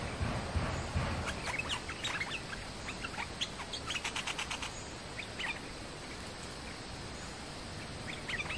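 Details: A Stripe-throated Bulbul, described as the territory holder, gives bright, bubbly chirps and short warbled phrases, with a quick run of notes midway, over low rumbling background noise.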